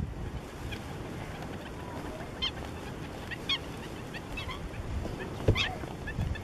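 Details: Slender-billed gulls in Cyprus give short, harsh, nasal calls about once a second, over a steady low rumble of wind or water.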